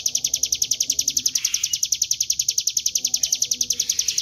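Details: Steady high chip series from a Bar-winged prinia, 'gacor ngebren' lure song, evenly spaced at about four notes a second with faint background noise.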